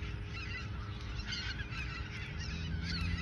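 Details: Ochsenmoor nature reserve geese in autumn 2022, just before heading south: a chattering mass of honks and cackles with rising and falling calls, over rumbling background noise.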